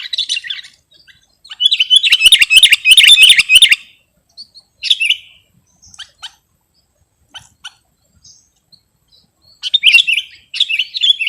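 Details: Sooty-headed bulbul, recorded as a lure for trapping or as a tutor for other birds, gives a loud burst of rapid gurgling notes, then scattered soft chips, then another bubbly phrase.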